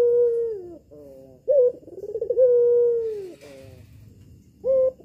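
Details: Red-eyed albino female collared dove, kept at home, used to lure males into calling: clear low coos with a rolling, throbbing middle, one long drawn-out coo slowly falling, then short higher notes after pauses.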